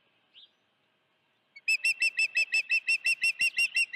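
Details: At the Dunrovin Ranch nest on 16 June 2019, an osprey with a live fish gives one faint upslurred note, then after a pause a rapid, steady string of about fourteen piercing whistled chirps, roughly three per second.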